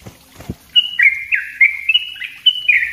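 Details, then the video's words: Yellow-vented bulbul master recording for use as a lure: after a few low knocks, a rapid run of clear whistled notes stepping between two pitches, each note sliding downward, repeated densely for two seconds. "suara trucuk ropell rapat buat pancingan dan masteran trucuk bahan"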